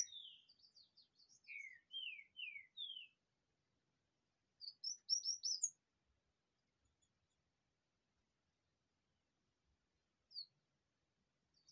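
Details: Double-collared seedeater singing a rachinha-style song in the sun: a series of quick descending slurred whistles, then a dense burst of sharp high chirps, then a single isolated note. Long silent gaps separate the phrases.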